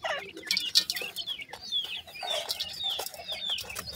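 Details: Male and female black francolin chicks chirping together, thin high peeps and downslurred whistles repeated rapidly and overlapping, over a background of scratching and handling clicks.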